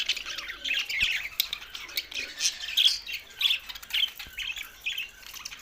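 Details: Budgerigars singing, squeaky warbles and harsh squawks in pulsing bursts about twice a second, with a few thin whistled notes mixed in.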